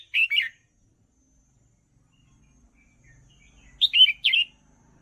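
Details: Red-whiskered bulbul song for teaching young birds, two short bursts of liquid, chattering whistles several seconds apart, with faint low rumbling between them.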